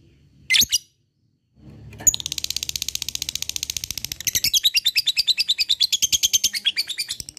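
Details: Lovebird opening with a short sharp squeak, then after a pause a long ngekek, a rapid stream of high rattling notes that grows louder and choppier toward the end, with a faint low hum underneath.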